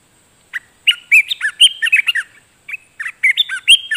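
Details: Wild streak-eared bulbul (Pycnonotus conradi) singing, recorded 28 July 2021 as a lure sound for red-whiskered bulbuls: bursts of quick, bubbly chirps and slurred whistles in irregular runs, with brief pauses between phrases.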